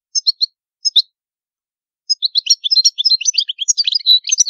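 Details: Sicilian European goldfinch, old-style Palermo song, background silent. A few paired high chirps open, then after two seconds a rapid, uneven run of twittering notes builds into continuous lively song.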